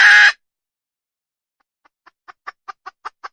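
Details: Wild red junglefowl hen gives a loud, harsh, raspy squawk, then falls briefly silent. A new series of short clucks follows, starting soft and building steadily in strength.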